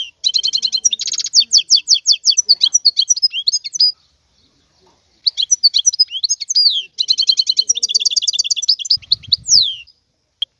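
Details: European goldfinch, a wild bird, in continuous song: fast liquid twitters mixed with dry buzzy trills and rising whistled notes, broken by one short pause; faint low rumble at the close.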